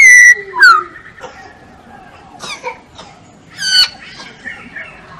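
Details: Masked laughingthrush, known locally as poksay hongkong, kept as a songbird; a few loud whistled notes and a slurred falling phrase, separated by quieter gaps with faint softer notes.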